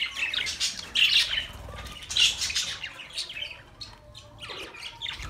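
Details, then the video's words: Budgerigar chirping meant for lonely birds: a few bright, scratchy chirp bursts around the first and second seconds, then softer scattered tweets and faint chatter. "Budgie Sounds for lonely Birds"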